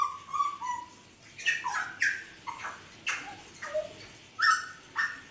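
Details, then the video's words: Softer Hooded butcherbird singing: mellow whistled notes gliding downward, followed by scattered short squawks and brief fluty phrases at irregular intervals, over steady low room noise. "Kicauan Jagal Papua Gacor"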